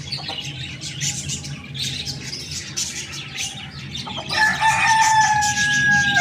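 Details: Rooster crowing in the morning: after several seconds of busy small-bird chirping, a loud, sustained, harmonic crow begins and holds a steady, slightly wavering pitch to the end, with chirps still heard behind it.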